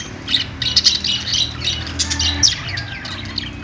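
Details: Budgerigars chirping and squawking in a continuous high, scratchy warble with quick falling notes; a steady low rumble underneath.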